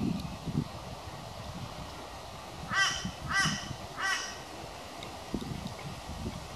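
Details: Crow vocal while attacking its reflection in a glass sliding door: three hoarse caws in quick succession mid-clip, each about half a second apart, with dull thuds and background rustle before and after.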